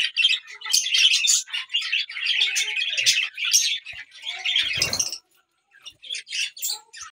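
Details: A lutino Fischer's lovebird chatters in dense bursts of shrill, scratchy squeaks and chirps, broken by one short noisy thump and a brief pause before more chattering.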